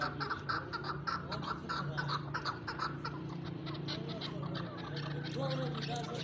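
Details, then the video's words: Chukar uttering a string of rapid, clipped chuck notes, then slightly softer notes near the end, over a low humming background. "chakor ke awaz"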